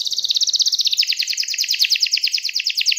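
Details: Caged canary singing a rapid trilled song to call a rival, fast pulsed notes repeated many times per second, shifting downward after the first second into a rolling chatter.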